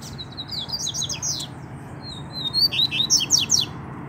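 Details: Double-collared seedeater chick calling in the wild with its parents nearby: rapid series of thin, high, slurred chirps and short sweeping notes, loosely repeated, over a low steady background rumble.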